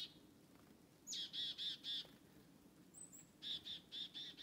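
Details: In forest, a black-capped chickadee trailing walkers starts with a high thin note. It gives four buzzy 'dee' notes, pauses, adds a faint high whistle, then gives five more rasping notes.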